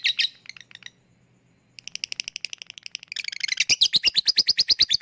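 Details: Lovebird chatter, a lure to stir lazy birds into ngekek: a few sharp chirps, a short pause, then broken notes building into fast, loud, rhythmic chattering.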